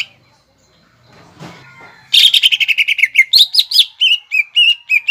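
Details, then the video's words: Greater green leafbird in the 'nembak ngekek' song style, used to provoke young leafbirds: a soft rustle, then a sudden fast rattle of notes slowing into clear whistles, with a higher rising phrase before steady paired whistles. "PANCINGAN CUCAK IJO GACOR NEMBAK NGEKEK BIKIN CEPAT MASUK BUAT CUCAK IJO KUNINGAN"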